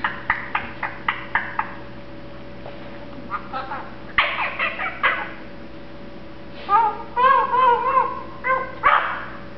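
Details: A pet male Eclectus parrot, one year old, happily mumbling indoors while getting sleepy: a run of short clipped syllables, then a burst of wavering, warbled whistles rising and falling, ending with a sharp note.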